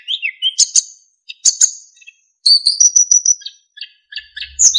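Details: Narcissus flycatcher in full voice, used to train other songbirds, with fill-in phrases and clean flute-like whistling: wavering whistles, high sharp chips and a long sustained ringing note followed by stuttering twitters, faint low rumble at the end.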